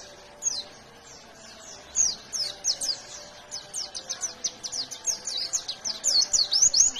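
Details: Fighter white-eye song in 'gacor ngalas nembak' style, starting softly with scattered high notes, then swelling into a quick, dense chatter of piercing slurred chirps that grows louder to the end.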